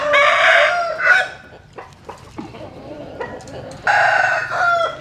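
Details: Dawn crowing from a rooster among chickens sunning in the morning: two loud, raspy crows, one at the start and one near the end, separated by scattered clucks and short calls.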